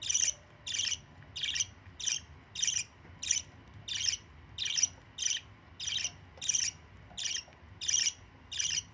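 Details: A young budgerigar begging again for food from an adult budgie that had fed it by regurgitation: harsh, raspy squawks, about thirteen short buzzy chirrs in nine seconds.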